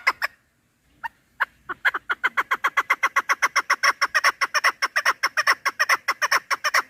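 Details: After a few hesitant single clucks, a chukar partridge launches into a dense, accelerating chatter of loud chuk notes repeated without pause. Sound used for partridge hunting.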